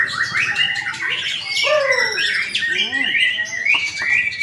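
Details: White-rumped shama (murai batu) singing at an Indonesian training bird-singing contest where it took first place; rich, fast varied phrases of sharp chirps, rising and falling whistled slurs and buzzy notes, with other birds overlapping in the background.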